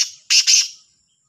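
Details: Black francolin morning call, labelled Sahiwal, dated 18/09/22: two loud, harsh, grating bursts in quick succession, the second slightly longer, then silence.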